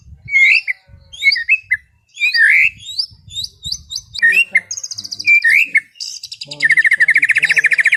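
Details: White-rumped shama singing calmly in the afternoon: repeated slurred whistled phrases with ringing overtones, separated by short pauses, then high buzzy trills ending in a long fast pulsing trill.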